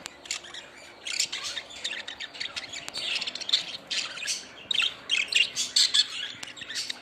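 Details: Budgerigars in a lively flock, mixing rapid twittering with rough squawks and sharp chirps that grow denser and louder toward the end.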